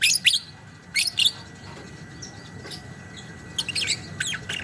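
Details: Lovebird giving sparse 'ngekek panjang' chatter: a few harsh high bursts at the start, a long quiet stretch, then more shrill chips near the end, with a steady faint whine behind.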